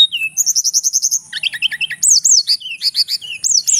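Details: A male Javan whistling thrush from Mount Merapi sings a rapid, high run of sharp chips and trills, then repeated arching whistles that rise and fall about every quarter second.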